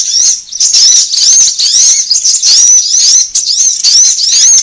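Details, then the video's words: Sunbird lure call to attract gathering birds: an unbroken run of piercing, high, arched whistles repeated rapidly, with faint lower twitters beneath. "SUARA PIKAT KOLIBRI AMPUH"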